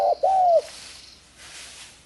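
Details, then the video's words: Spotted dove, now scarce in the wild due to hunters yet bred successfully in captivity, giving a single coo phrase: a brief clipped note then a longer smooth descending coo, followed by quiet. "Suara Kicau burung tekukur mardu banget"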